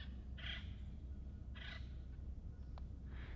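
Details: A little crow calling out at night: three harsh, hoarse caws spaced about a second apart over steady low background hum.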